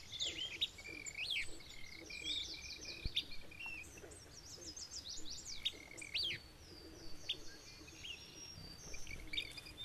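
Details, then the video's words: Alder flycatchers in scrubby habitat in Maine, a pair actively defending their territory against another alder flycatcher; repeated sharp chirps and short buzzy notes with upward sweeps, many overlapping high calls throughout, over a low background rumble. "Alder Flycatcher in Maine"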